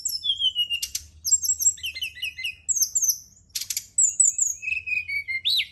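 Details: Brown-chested jungle flycatcher song for nighttime singing therapy: a falling whistle, a dense burst, rapid high twittered phrases, then steady whistles ending in an upward flick.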